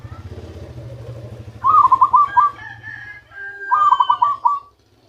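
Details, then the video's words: Zebra dove caught by luring, now producing its original song: two rapid rolling coo phrases a couple of seconds apart over a steady low droning hum, with a few thin whistled tones alongside. "ketika perkutut hasil pikat mulai keluarkan suara asli nya"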